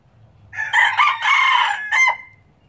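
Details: Crowing of a pure Laos red junglefowl breeder, 2016: a harsh, raspy crow of about one and a half seconds, broken into several choppy syllables with a brief final note, against a faint low background rumble.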